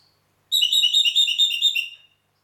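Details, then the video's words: Red-rumped parakeet recorded in Heraklion, Crete: a quick run of bright, high warbled notes for about a second and a half, each rising and falling, over a silent background. "Red Rumped Parakeet"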